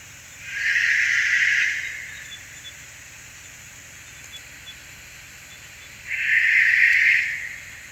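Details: Australian Masked Owl, a bird of tall old-growth eucalypt forest in southeast Queensland, giving two long, harsh rasping screeches, each over a second, about five seconds apart; deeper and more drawn-out than the Eastern Barn Owl's higher, faster screech.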